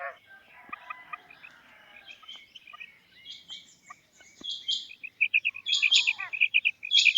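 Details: Female quail calling, starting faint and blurred, then building to loud, sharp repeated notes and rasping bursts in the last few seconds.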